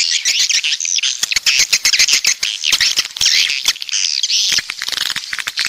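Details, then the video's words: Coastal swiftlets (walet pantai) from the south calling together, with overlapping shrill chirps layered over sharp clicking ticks that come in quick irregular bursts. "Suara Walet Pantai Dari Selatan"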